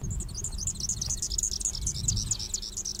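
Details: Superb fairywren of Australia, whose ultra fast high song is compared to a laser or sci-fi sound effect: a continuous run of rapid, very high trilling notes throughout, with a loud low rumble and music underneath.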